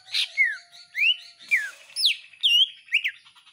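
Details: Domestic greater green leafbird singing with iora-style phrases: loud slurred whistles, each note sweeping down or up, roughly two per second, with scratchy high bursts between them.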